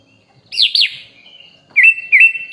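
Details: Song of a sooty-headed bulbul used for training songbirds and described as full of varied phrases: two looping whistled notes, a soft trailing tone, then two sharp rising chirps.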